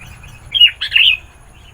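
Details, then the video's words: Lively sooty-headed bulbul singing to attract wild birds of its kind, two short liquid, warbling phrases in quick succession, clear and loud over a quiet background. "Suara Burung Kutilang Gacor, Memanggil Kutilang Liar"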